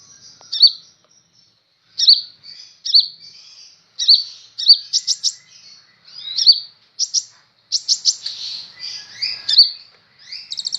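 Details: Sunbird, locally called kolibri ninja, newly acquired and singing freely: short high chirps and buzzy, piercing notes come in quick bursts, with brief rattles between them and pauses of a second or less.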